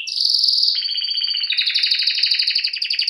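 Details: Canary singing a bright rolling trill that shifts into a lower rapid pulsed tour, fast and continuous.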